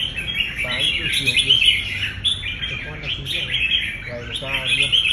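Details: Competition red-whiskered bulbul in training, urged to deliver fighting song: busy, high, sharply modulated chirps and trills run almost without a break, with a few brief human voices low underneath.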